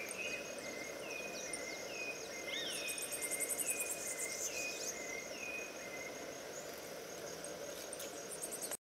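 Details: Southern rough-winged swallow at Brusque, Santa Catarina, Brazil, giving short, slurred notes repeated every second or so, over a steady high insect buzz and background hiss.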